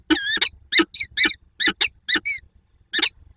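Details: Quacking of a female peregrine falcon at a near-silent meeting, Słupsk, 2 June 2022: short, grating, nasal notes, some in pairs, separated by brief gaps, with a faint low room hum behind.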